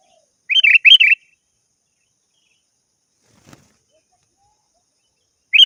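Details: Chatty sooty-headed bulbul calling a rival, used as a lure call. Two quick pairs of bright, bubbly notes come early, then silence, and the call starts again at the end.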